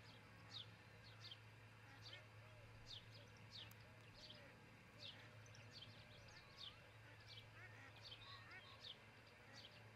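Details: Osprey at a nest in Charlo, Montana, heard via a nest cam in the early morning of 22 June 2018. Repeated high, descending chirps are mixed with looping mid-pitched songs of other birds, over a low constant hum.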